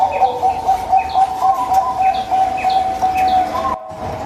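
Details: Local zebra dove singing, used to prompt doves that will not sing: rapid staccato coos repeated about four times a second in a steady run, with thin high chirps from other birds above, ending in a brief gap.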